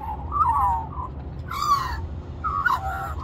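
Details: Singing for more mango, a magpie at Cirillo Reserve, Middleton Grange, New South Wales, Australia, gives warbled, gliding whistles interrupted by sharp rustling or clicking noises, over low rumble.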